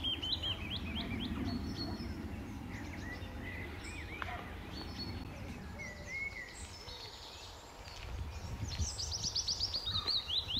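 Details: A male willow warbler sings from the treetops by the pond at Standalone Farm, Letchworth, in June 2014, returning to the same branches on his patch. He gives a soft, sweet run of high, downward-sliding notes among other birds' chirps and a low rumble.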